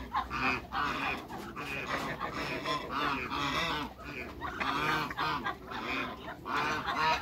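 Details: Cayuga and mallard hybrid ducks quacking and honking over one another in a dense, continuous chorus of harsh, nasal calls with no pauses.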